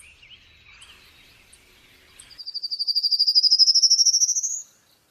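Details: A bird gives soft twittering, then a long rapid trill of high pulsed notes that climbs steadily in pitch and grows louder for over two seconds before stopping abruptly.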